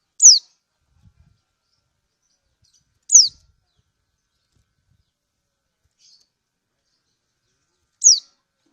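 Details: Lemon-bellied white-eye from Lombok, a female calling to a male, used to raise breeding urge: three short, shrill, downward-slurred chirps roughly three seconds apart, with a couple of faint soft clicks and a tiny buzz in between.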